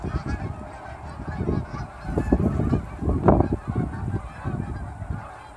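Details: Hundreds of Canada geese in fall, just after sunrise near the airport in Dawson Creek, leaving ponds for grain fields to feed. Dense overlapping honks from many birds, loud bursts around the middle, over a steady low rumble.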